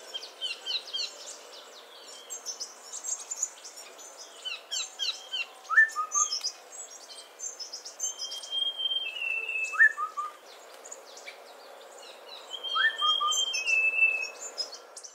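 Short, falling two-note calls from the scimitar babbler come about every four seconds. A busy chorus of high chirps and thin whistles from other birds runs throughout.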